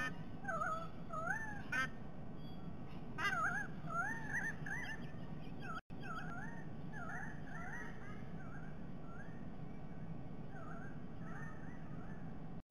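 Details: Two White-bellied sea eagles during a shared breakfast at Sydney Olympic Park, Australia, recorded by nest camera on 22 October 2021. A long series of wavering, whistled yelps repeats steadily, louder bursts early, softer regular notes later, over a continuous low hum.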